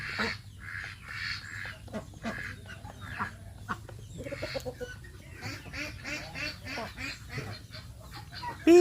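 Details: Female Yi Liang breed domestic ducks, culled stock kept behind the house, give loud, nasal quacks in quick irregular bursts, several per second at times, with a man's voice briefly in the background.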